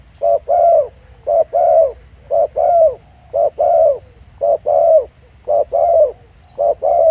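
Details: Spotted dove recorded live in the field at Pha Sing, giving low hoarse coos in paired notes. Each pair has a short note then a longer one, repeated steadily about once a second with quiet gaps between.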